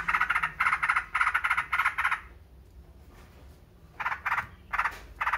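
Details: Yellow-vented bulbul uttering fast buzzy pulsed notes for two seconds. A quiet gap follows, then separate short bursts of the same rough notes return near the end.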